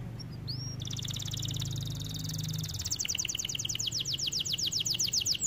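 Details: Song of a white canary: a brief upward whistle, then a long fast buzzy trill that slows into clear repeated descending chirps, with a low hum underneath during the first half.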